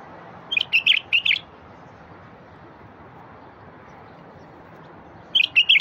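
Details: Bulbul singing to prompt quiet wild bulbuls: a fast run of four bright, bubbling notes, then silence, then a similar phrase starting at the end. Light steady hiss behind.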